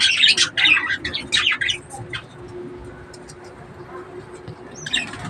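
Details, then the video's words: Harsh chirps and squawks from breeding budgerigars fill the opening two seconds, then fade to a low hum with only faint calls before a brief final burst. "breeding of budgies birds"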